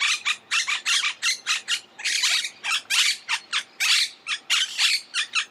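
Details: Dense, chattering run of loud, scratchy squawks from a monk parakeet, notes following one another almost without gaps.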